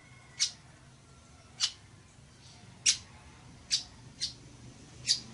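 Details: Six hoarse, clipped notes from a village weaver, spaced about a second apart with two close together near the end, over a low background hum.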